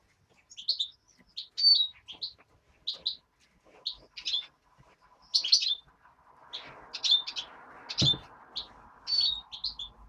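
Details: Hand-reared European greenfinch chick calling: repeated short chirpy notes, several doubled, given in bursts about every half second, with a soft low rustling noise in the middle of the recording.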